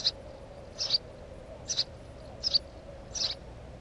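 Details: Five quick, high chirps from a house sparrow by its nest, spaced irregularly under a second apart, some with a doubled note, on a quiet background.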